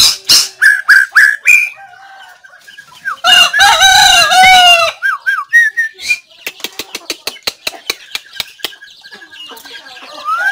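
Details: White-rumped shama singing, recorded 17 April 2024: sharp clicking notes and short whistles, then a loud dense phrase of warbled harmonic notes, followed by a fast series of dry clicks and a final rising whistle.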